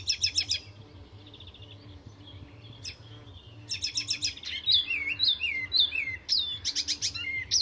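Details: Full song of an Icterine Warbler, a master mimic, recorded at a reserve north of Stockholm, Sweden: bursts of rapid metallic chirps alternate with looping downward whistles, varied phrases tumbling quickly one after another.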